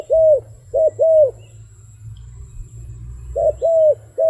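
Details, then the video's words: Two bursts of rounded, arching coos from a wild dove, one group at the start and one at the end, with a quiet spell of low droning hum between them. "លលកព្រៃនេះសម្លេងល្អគួរសម🤩🕊This wild dove sounds pretty good."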